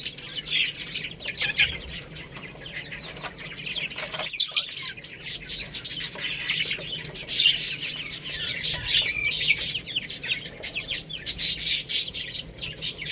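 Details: Chicks eating rice produce a dense, high chirping chorus that grows busier toward the end, with a sharp knock near the middle and scattered clicks.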